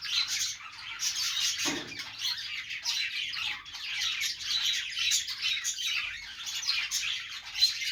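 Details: Budgerigars warble happily in a continuous, chirpy chatter of squeaks and raspy notes, with a single soft thump heard early on amid the birds.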